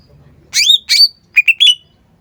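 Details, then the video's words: Loud cucak ijo phrase. Two long, harsh, slurred notes sliding downward are followed by three shorter whistled notes that level off into a drawn-out tone. "CUCAK IJO GACOR"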